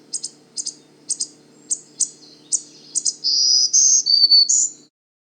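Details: Male Black-throated Green Warbler at Manchester Cedar Swamp Preserve, southern New Hampshire, a long-distance migrant that arrived in late April: high, sharp chip notes about twice a second, then the buzzy 'zee zee zoo zoo zee' song over a faint low hum.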